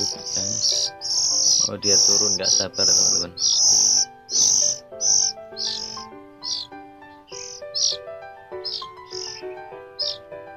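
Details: Hand-fed juvenile Oriental magpie-robin (kacer), kept in care, calling in the morning while being fed: loud, harsh, high-pitched squeaks repeated rapidly, about one or two per second, fading and going quiet once fed, over steady background music.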